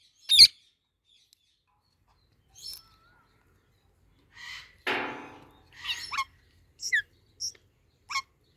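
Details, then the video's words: Two parrots eating mango give a sharp squawk, then mixed calls: a rasping buzzy note, short clipped chirps and quick high squeaks spaced about half a second apart. "Parrots Making Cute Sounds"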